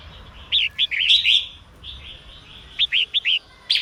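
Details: Female red-whiskered bulbul singing to stimulate males into song: two bursts of quick, bright, slurred whistled notes, upswept and hooked, four or five per burst, separated by a short pause, over faint background hiss.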